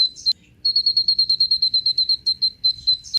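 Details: Sunbird, the kind known locally as kolibri ninja, used as a lure to set other birds singing: a fast, even run of thin, high piping notes at a steady pitch, with a brief sharp chip before and after.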